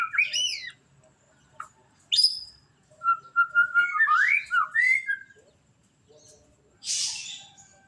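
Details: White-rumped shama, murai batu, delivering a melodious song of separated whistled phrases, including a rising-falling opening, a short sweep, then a run of quick warbled notes, ending with a harsh burst.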